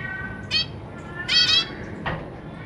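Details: Caged zebra finches, a pair of parents with three juvenile and three newly hatched babies, parents busy feeding the young; three short nasal, harmonic calls, the middle one a quick double note, over a low steady hum.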